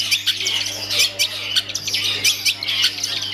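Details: Kept long-tailed shrike performing: high, scratchy, squawking notes and chatters in irregular bursts, with a steady low electrical hum underneath.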